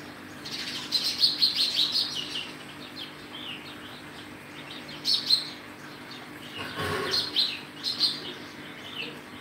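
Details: Sparrow chirping in clusters of sharp, high, rapid notes, pausing between bursts, with a brief rustling thud in the middle and a low background hum.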